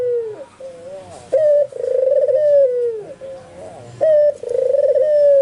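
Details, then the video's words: White albino ringneck dove in full song, neighbouring spotted and zebra doves reportedly joining in; a wavering low coo, then a sharp note and long throbbing coo, repeated, each tailing off downward. "SUARA BURUNG PUTER PUTIH ALBINO FULL GACOR - Sekali bunyi tekukur perkutut disekitarnya ikut nyaut"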